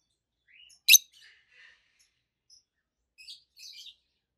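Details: Two adult peach-faced lovebirds, one red-faced, one yellowish white-faced, chirping: a single loud, sharp high chirp among soft twittering notes, then a few short buzzy chatters near the end.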